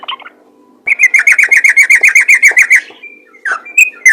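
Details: Yellow-vented bulbul, a fighter bird with a rapid 'ropel' song for luring others of its kind; a few soft notes, then a fast, even chatter of bubbly whistles for about two seconds, ending with scattered chirps.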